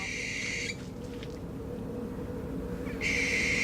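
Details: Barn owl recording played to chickens, which seem unbothered by it: two harsh, hissing screeches, each under a second, about two seconds apart, over a low steady hum.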